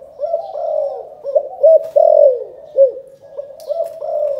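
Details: Calling coo of a spotted dove from Can Tho in Vietnam, 'chụp chụp ô' style: steady low coos broken by short, clipped notes and a long descending note, with a faint click in the background.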